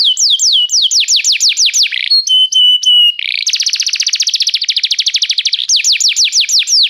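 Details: Canary singing restlessly: rapid repeated descending sweeps, then a few steady whistled notes, a fast buzzy trill of many quick pulses, and more swift downward sweeps, all high-pitched and loud with no other sounds.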